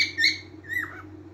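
A cockatiel gives two quick whistled phrases, the second sliding down in pitch, over a low steady hum.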